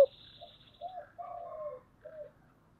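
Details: Spotted dove, thổ voice style, giving quiet low coos: a short note, a bowed coo, a longer drawn coo, and a final short coo, with a high thin trill at the start and faint room hum.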